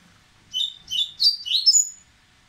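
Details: Excited Dubois's seedeater warming up to sing: a phrase of five linked whistled notes over about one and a half seconds, climbing in pitch and ending on a high thin note.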